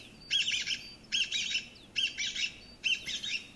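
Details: Chinese bamboo partridge, a pheasant relative, calls from thickets in loud, shrill phrases in quick bursts. Each is about half a second long, repeated roughly every second, and is rendered in Japanese as "chotto koi" ("come here").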